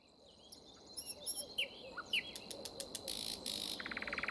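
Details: Common nightingale singing in spring: scattered short whistled and slurred notes, then a dense buzzy rattle and a fast run of repeated clipped notes, over a steady low rumbling background.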